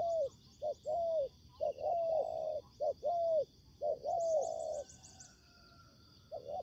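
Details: Spotted dove coos from a trapping session where a decoy meets a fighting wild bird. Overlapping short and long mellow coos, several birds answering closely, then quieter. A high insect drone and brief chirps carry on behind.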